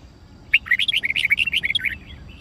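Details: Red-whiskered bulbul in training, singing a fighting song: a loud burst of about fifteen rapid, chattering whistled notes, jumping up and down in pitch, delivered in a lively one-and-a-half-second phrase.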